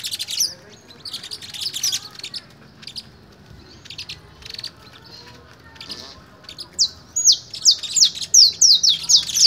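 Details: Canary during fogueo (song training) in Pelaya, Cesar: scattered faint high chirps and short bursts over a quiet background, ending with a loud string of rapid, descending whistled notes.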